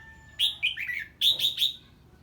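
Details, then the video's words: Red-whiskered bulbul in ché song on hearing an unknown bird: a quick warbling phrase of down-slurred notes, a brief pause, then three loud, evenly spaced bright chirps. "Chào Mào Hót Ché Khi Nghe Tiếng Chim Lạ"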